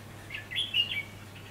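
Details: Red-whiskered bulbul in a fighting song during trapping, recorded 4 October 2016 in Vietnam: a short phrase of bright warbled notes around two to four kilohertz lasting about half a second, with a steady low hum beneath.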